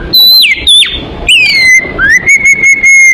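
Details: Oriental magpie-robin lure song: long, loud slurred whistles gliding downward and then holding steady, over a noisy background rumble.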